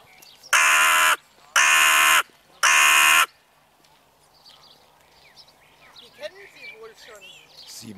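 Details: Crows on an evening outing, a tame territory-holding pair that chases off other crows, fed nuts and almonds. Three loud, harsh caws come about one second apart, followed by faint twittering of small birds.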